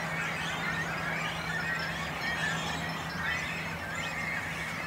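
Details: Nesting great cormorants with young on an islet in a small lake near Noord and Zuid Scharwoude, Langedijk, Netherlands; constant overlapping squealing and croaking from many birds, a few sharper rising notes, and a low steady hum throughout.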